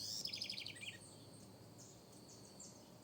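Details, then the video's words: House wren in a backyard, singing a rapid bubbling phrase of high repeated notes that descend slightly over about one second, then fading; faint high chirps and a steady insect hiss continue behind. ""corruíra" o mais belo canto"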